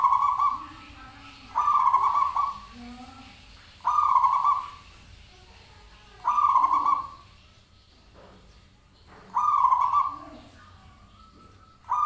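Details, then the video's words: Zebra dove calling as a lure to draw an answer from other birds: five short trilled coos, each under a second, repeated roughly every two to three seconds over a quiet background. "Pancingan Perkutut Klik Langsung Nyaut"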